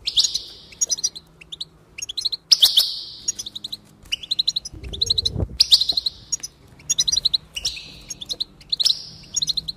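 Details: Repeated phrases of goldfinch song for encouraging singing: each burst opens with a long buzzy wheeze followed by a run of quick metallic chirps, recurring roughly every one to two seconds, with one low bump.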